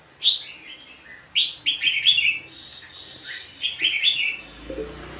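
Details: Red-whiskered bulbul, Vietnam, trapping and fighting: loud clear whistled phrases in quick series, several bright slurred notes, pausing briefly between bursts, with a low rumble near the end.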